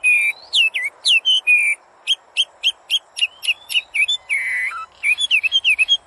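A common hill myna sings a rapid string of loud, clear whistles and chirps, with sliding, swooping notes and a few harsh buzzes, all in quick succession.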